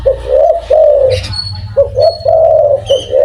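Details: Spotted dove with a big voice, calling steadily: three rounded, hooting coo phrases in quick sequence, each opening with a short note then a longer drawn-out one, over a soft low hum.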